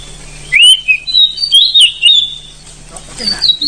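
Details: Oriental magpie-robin from the forest, strong long-rolling song: after a quiet start, a rising whistle opens a sustained chain of bright warbled notes, fading before a final high phrase.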